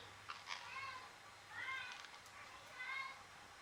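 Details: A 10-week-old pet Indian ringneck (rose-ringed) parakeet, disturbed while trying to sleep, gives three soft, harmonic, rising-and-falling calls about a second apart, over a quiet indoor hum.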